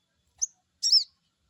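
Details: Crested jay crecet call used to provoke a reply from a wild-caught bird: a quick high tick, then one loud, rich, arched chirp with stacked harmonics.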